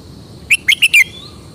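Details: Red-whiskered bulbul, a kept cage bird in Thailand, showing off its distinctive song style: one quick phrase of four loud, clear whistled notes, short and rapid, the last slightly longer and falling; quiet background otherwise.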